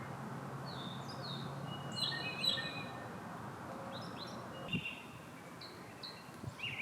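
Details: Northern mockingbird singing in the background by a canal in Florida while manatees eat mangrove leaves; a series of varied short chirped and whistled phrases, some sliding, over steady low rumbling noise with a few soft thumps.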